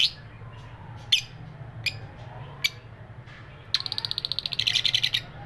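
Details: Lovebirds calling: a few sharp, isolated high chirps in the first three seconds, then a rapid run of bright, repeated chirps about ten per second near the end, over a steady low hum.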